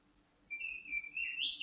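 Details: Caged white-rumped shama at dew-airing to keep it calm and in breeding condition: one sustained whistled phrase, wavering slightly, then climbing to a sharp, higher flourish at the end.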